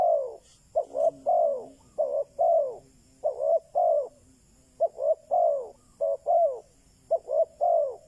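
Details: Decoy spotted dove calling to attract wild doves: steady series of coo phrases, each two or three quick notes ending in a longer falling coo, repeated roughly every second with no other sounds.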